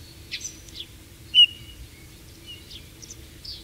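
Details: Eurasian bullfinch, shy and hidden-living, giving a few soft warbled notes and one clear, slightly louder whistle, followed by quiet squeaky fragments, with a low hum behind.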